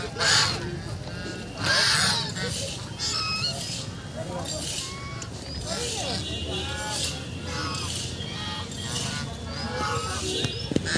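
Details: Ducks playing on a lake give harsh, nasal quacks in bursts about every second or two, over steady background noise and what sound like human voices.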